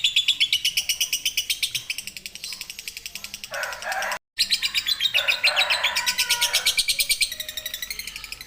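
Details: Lovebird giving a long ngekek trill used for song training, a steady high rattling series of rapid buzzy notes about three per second, briefly interrupted, with a lower scratchy chatter mixed in midway.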